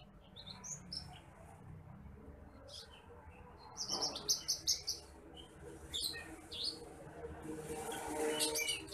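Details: Bush lark song used to train other cage birds: sparse high twittering notes, then a louder run of quick sharp chirps midway, with a faint low hum underneath.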